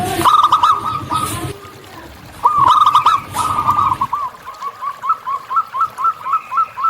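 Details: Wild local zebra dove giving two quick trilled coo phrases over a splashing sound, then a softer, evenly spaced row of short rising notes about four per second.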